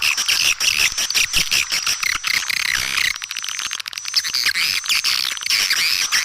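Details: Attracting call of swiftlets: a busy chorus of rattling clicks and high chattering chirps, nearly unbroken, briefly thinning near the middle, with a steady faint high whine.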